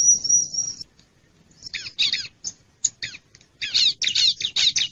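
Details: Bar-winged prinia lure sound for luring wild birds: a long, even, high buzzing trill, a pause, then a run of harsh rasping chips that grow faster and denser toward the end.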